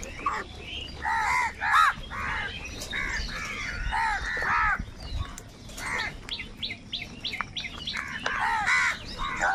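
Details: Huge numbers of crows squabbling over food give rough, hoarse caws in ragged clusters. Later come shorter, sharper calls in rapid series, all against a steady outdoor hum.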